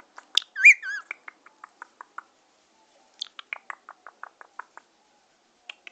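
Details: Chattering Indian ringneck parakeet said to be in love, indoors: a wavering whistled squeal followed by rapid clicks and short chirps, a pause, then another run of clipped chirps at a steady pace.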